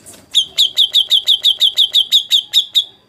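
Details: Shama song meant to make other birds reply, here a steady series of about thirteen high sharp chipped notes repeated evenly roughly four to five per second.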